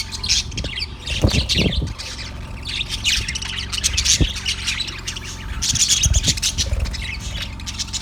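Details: A yellow budgie recorded 18 February 2024 gives bursts of harsh, squawky chirps and chatter, louder around the middle and near the end, over a constant low background hum.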